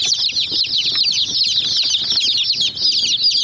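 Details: Many hen chicks peck at a small white toy jeep, chirping constantly: a dense chorus of high, short, downward-sliding peeps overlapping without pause, with faint tapping and pecking clicks underneath.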